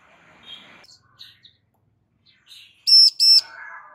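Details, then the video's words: A female Bar-winged prinia calls to prompt a male to answer, giving two loud buzzy harmonic notes in a quick pair after faint chirps and a soft rushing noise. "Ciblek BETINA GACOR Memanggil Ciblek JANTAN Agar NYAUT GACOR"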